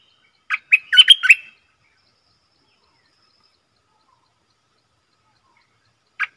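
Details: Streak-eared bulbul kept as a decoy bird to lure wild birds and to train young or silent birds, giving one short burst of four or five quick chirpy notes, then silence and the start of another phrase.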